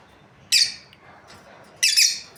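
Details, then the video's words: Lovebirds in a breeding pair: two long, loud, grating squawk-chirps about a second and a half apart over quiet background. "Happy lovebirds chirping sounds| breeding pair"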